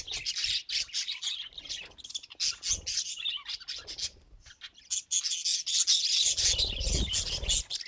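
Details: Budgie chirping rapidly in a string of short, sharp, high tweets and squawky notes, a brief lull midway, then a louder burst near the end over a low rumbling thump.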